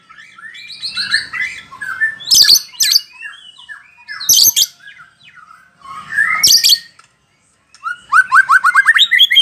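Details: Bahorok white-rumped shama song mixing rich whistled phrases and rapid chattering trills with several loud harsh rasping bursts, a brief pause, then a fast run of rising whistled notes.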